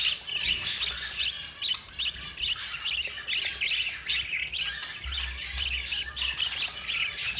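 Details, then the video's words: Begging budgerigar chicks, four in number, fed by their yellow mother; harsh chittering squawks repeat more than twice a second in uneven bursts. "Jasperine the yellow mother budgie feeding her four babies"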